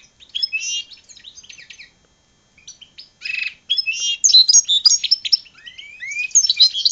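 A goldfinch and red siskin hybrid sings a rapid, high twittering song of buzzy trills and bright chirps, broken by short pauses and building toward the end.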